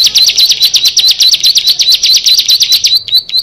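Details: Six ciblek, or bar-winged prinias, together; a loud, rapid, even trill of high buzzy notes runs for three seconds, then gives way to a few spaced, thin chirps.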